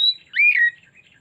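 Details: Oriental magpie-robin, used as a lure recording to draw out a full song repertoire: a loud, clear whistled note, then a rising and falling slurred phrase, over quiet background.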